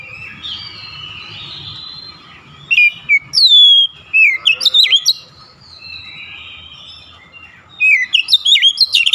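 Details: Oriental magpie-robin in a "nembak" (shooting) song display: after quiet, drawn-out whistles, loud bursts of sharp rising and falling notes, each burst of several rapid notes, with a steady faint hum beneath.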